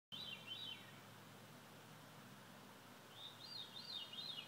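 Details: At sunset, a veery gives two breezy, rolling phrases of looping whistles, the second longer and swirling up then down, over a steady low hum.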